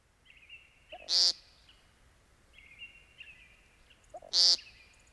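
American Woodcock giving two loud, nasal, buzzy 'peent' notes about three seconds apart, with a faint thin whistling from another bird between them.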